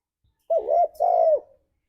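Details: Lure song of a gacor spotted dove in ngalas style: a soft husky two-note coo, the first note undulating, the second drawn out and sliding down, in a quiet background.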